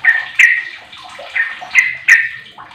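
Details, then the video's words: Sooty-headed bulbul, a 15-year-old bird used as a lure to get other bulbuls singing; bubbly downslurred whistled notes repeated at uneven intervals, with sharp clicking sounds between phrases. "Trucuk Apapun 100 persen gacor dengan pancingan trucuk umur 15th ni"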